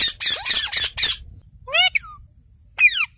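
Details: Parrot (tota) gives four rapid harsh, grating squawks. A clear falling whistled phrase with a short tail follows, then one more rasping squawk after a pause.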